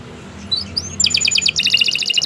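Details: Canary singing as a tutor for beginner songbirds: a few thin rising whistles, then a fast trill of high paired notes, over steady low background noise.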